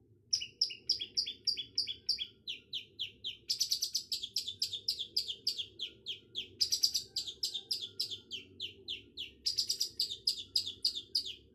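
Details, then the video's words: Long-tailed shrike singing a fast, steady series of sharp chirping notes, roughly three or four per second, some descending and others harsh and scratchy, over a constant low hum. "Suara burung cendet"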